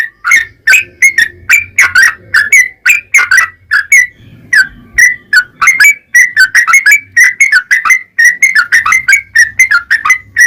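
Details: Yellow-vented bulbul, long 'ropel panjang' singing used to rouse other bulbuls: a continuous stream of liquid, gurgling whistled notes, varied in pitch and delivered rapidly for ten seconds with faint low hum beneath.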